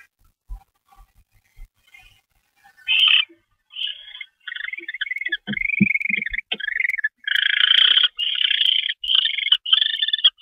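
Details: Barn owl at a nest during a mouse delivery, 25 February 2013 at 10:46 PM. Quiet clicks and scuffles at first, then harsh, raspy bursts grow louder and run together into near-continuous hissing rasps.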